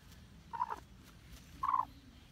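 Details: Hmong black chicken giving two short, rough mid-pitched clucks about a second apart, over low steady background noise.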